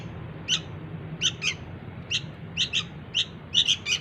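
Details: Sooty-headed bulbul chick begging calls, used to lure its parents: short high squeaky chirps, singly and in pairs, about ten in four seconds, over a low background hum.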